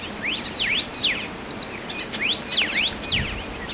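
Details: Hawaiʻi ʻElepaio of the subspecies ridgwayi on the Big Island of Hawaiʻi. Two phrases of sharp whistled notes that sweep steeply up and down, each phrase of three to four strokes about two seconds apart, over a soft low rumble.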